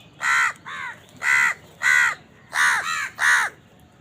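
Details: House crows squabbling over food while eating: loud, rasping caws alternating with slightly weaker ones, six calls in about three and a half seconds.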